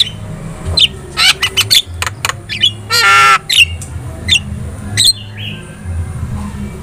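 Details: Javan myna song used to make other birds respond, a mix of harsh rasping squawks, sharp clicks and short whistles, with one long buzzy rasp near the middle over a low background hum.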